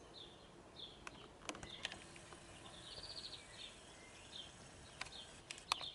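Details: Male European greenfinch singing from the top of a blue spruce: quiet, high twittering trills in short bursts, with one longer rippling trill midway, a few sharp clicks and soft background hiss.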